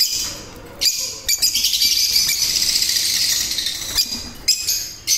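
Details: Breeding pair of olive mask African lovebirds, yellow-collared, producing a sustained high shrill chattering stream of squeaky chirps, with sharp loud calls breaking in near the start and end.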